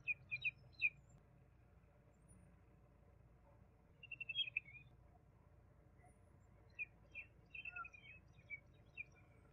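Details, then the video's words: A juvenile Common babbler (Argya caudata) gives short, high chirps and trilled phrases in loose bursts, with a pause in the middle, over a low background hum. "Juvenile Common babbler (Argya caudata) Song - Sound - Singing - Call - Voice - Vocals - Chirping"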